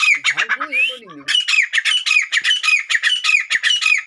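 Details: Grey francolin (Francolinus pondicerianus), call: male displaying his strength to a female.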